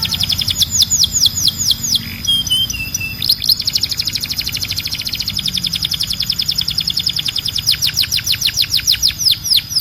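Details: Canary song opening with steep, high, downswept notes in quick succession, a brief pause, then a long rapid chattering trill of repeated notes.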